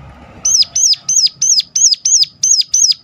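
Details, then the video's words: Sharp luring call of a Sunda warbler, used to prompt others of its kind to sing more. After a brief quiet start, nine high, shrill, arched notes ring out in quick succession, about three per second, over faint low background noise. "ngecall tajam ciblek gunung"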